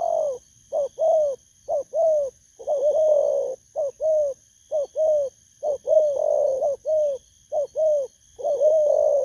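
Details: Spotted dove recorded 19 August 2024, a wild-caught bird giving the 'bầu' lure coo; steady loud stream of mellow downward-curving coos, some paired, some stretched into longer rolling notes, faint electrical-like hum above.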